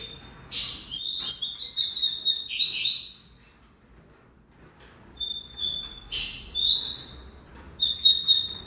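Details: A double-collared seedeater sings a long, fast, high twittering phrase, falls silent, then adds a few whistled notes and buzzy chirps before a final rapid burst.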